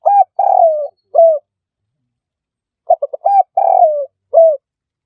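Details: Spotted dove call used to lure birds into traps. Two phrases, each with a long, mellow, downward-sliding coo and a short final coo. The second phrase opens with quick stammered notes. No other sounds.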